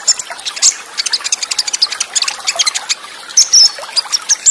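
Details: Olive-backed sunbird training recording, full of varied song material in the Cililin burst style with fast rolls and tight pauses. Dense high chattering notes and short whistled slurs run over a steady trickle of water.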